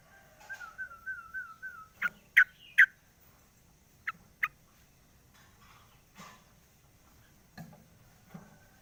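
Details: A caged sooty-headed bulbul sings in the morning with its cage cover opened: a rolling, wavering warble of linked notes, followed by three loud sharp notes and a pair of chips, with quiet pauses between.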